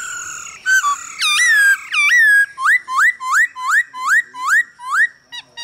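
A male hwamei sings loud, rich whistles: long sliding tones, then a quick run of about eight rising slurred notes, two or three per second.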